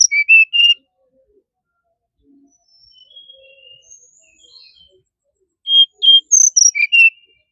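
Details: Brown-chested jungle flycatcher song: a burst of clear, high whistled notes, some sliding down and others held steady, then near silence with a few faint soft notes, then a second similar burst of bright whistles.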